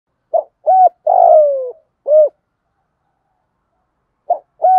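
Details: Spotted dove cooing, used as a lure call to provoke other doves to coo: short clipped coos and a longer drawn-out descending coo, in separate notes with clear pauses between them.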